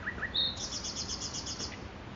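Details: In Makoui park a nightingale delivers two short rising notes, a bright sustained whistle, then a long series of rapid high pulsing notes that fades after about a second.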